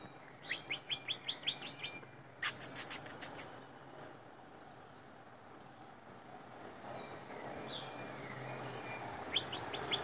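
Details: Loose white saffron finch singing: about eight short, high notes quickening in a row, then a loud burst of very shrill rapid notes, a pause, and softer scattered twitters with a final pair of chips.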